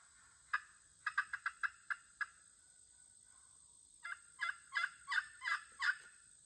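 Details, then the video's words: Local hens calling back and forth in short, sharp clucks, a quick run of six notes, a pause with a faint drawn-out tone, then another burst of six louder clucks. "an unexpected conversation with the local hens"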